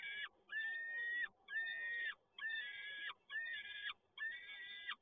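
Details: Five harsh, nasal wails in steady succession, each under a second long with short breaks, from a peregrine falcon at PGE Toruń on 7 May 2022 while the male brings another delivery.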